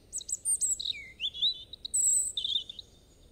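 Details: Liquid robin song: high notes tumbling down into a low swooping slur, then a rising twist, a long thin high whistle and a closing wavering trill over a soft background hiss.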